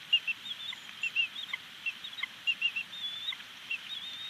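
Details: Female bald eagle at a nest at Big Bear Lake, April 25, 2019, calling after her mate drops food at the nest; thin, high, chittering whistled notes in short clusters, repeated several times.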